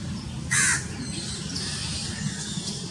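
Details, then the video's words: A house crow in Pakistan gives one short, harsh, nasal caw lasting about a quarter second, over a steady low rumble and faint hiss. "House Crow Sounds"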